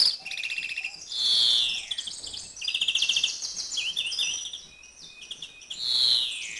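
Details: European greenfinch male in breeding condition, 2011 season, delivering drawn-out nasal wheezes at start and end with rapid buzzy trills and twitters between them.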